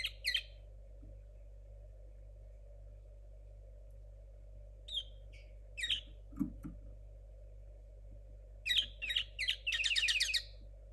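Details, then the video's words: Linnet hybrid from 2022, a young bird whose song is still unformed: brief chirped phrases separated by pauses, ending in a quick run of rapid buzzy notes, with a constant low hum behind. "Hoy os presento a Tsunoda (mixto de Pardillo 2022)"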